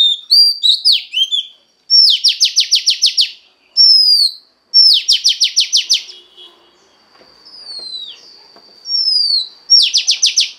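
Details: Female Oriental magpie-robin singing to stimulate the male: repeated phrases, each a clear falling whistle followed by a fast train of about eight buzzy down-slurred strokes, three such bursts with a faint steady tone between.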